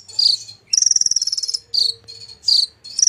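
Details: Golden-fronted leafbird in energetic imitation-filled song: a long rapid rattling trill set between brief high slurred whistles, each phrase under a second.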